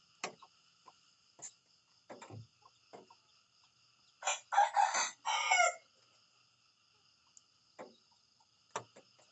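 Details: A rooster in the morning gives one harsh, broken crow of several rapid ragged segments lasting under two seconds, set among scattered clicks and knocks and a faint steady high hiss.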